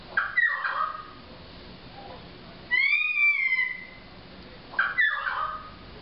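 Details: Pied currawong in Byron Bay, New South Wales, Australia, giving loud ringing cries: a harsh descending call, then a drawn-out clear whistled note sliding gently downward, and another harsh cry at the end.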